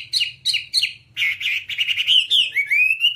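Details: Whambie bird singing, from a training recording for kept songbirds: three quick downslurred chirps, then a dense run of buzzy warbled notes and a long rising whistled ending, with light background hum.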